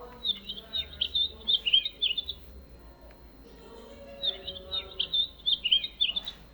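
A Painted Bunting sings two bright, warbling phrases of quick sweet notes, separated by a pause.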